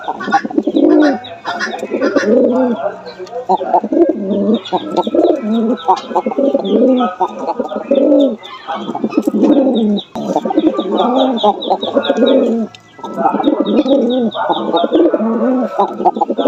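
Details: Cooing of Jalali pigeons in Bangladesh, a pair included: continuous low, bubbling coos from several birds overlap in long waves, while thin, rapid chirps of smaller birds sound higher up throughout.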